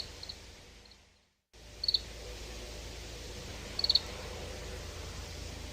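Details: Oriental greenfinch calling with a couple of short rattled twitters about two seconds apart, after a brief silent gap, with soft hiss throughout.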